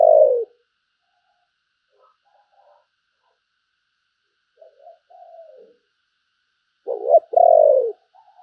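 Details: Decoy spotted dove of good looks calling: a loud falling coo, quiet soft murmurs and a faint drawn-out coo, then a sharp short note followed by a strong, long, downslurred coo.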